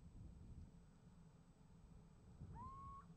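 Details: Little owl call answered by a second owl, nest-box camera recording from 28 January 2015: one drawn-out whistled note late in the clip, sliding up and leveling off, with steady low hum beneath.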